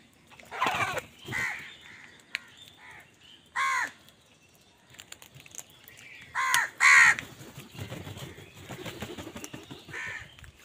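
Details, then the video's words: Crows angrily contesting food with other wild birds: rough, harsh caws in irregular bursts, one isolated loud caw, then a loud close pair, over a background of faint chirps and rustling. "Wild birds fight with crows for food | Crow bird unity anger and sund | Angry kawa ki awaaz"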